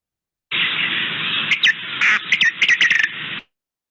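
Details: A Many-colored Rush-Tyrant in Chile gives a quick run of thin, nasal, squeaky notes over a steady hiss, not the clear whistled 'fiu' people expect.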